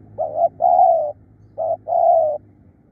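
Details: Tireless, fierce-sounding spotted dove used as a decoy gives two mellow phrases: a quick two-part coo, then a drawn-out purring coo, with a short pause between.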